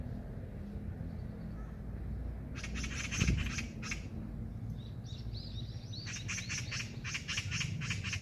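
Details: Eurasian magpie heard on a walk outdoors, giving bursts of harsh rattling chatter separated by pauses, while another bird adds a few short whistled notes between the bursts.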